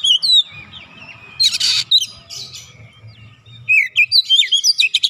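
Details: Oriental magpie-robin in training, mixing clear whistled slurs with harsh buzzy bursts, ending in a rapid string of bright rising and falling notes.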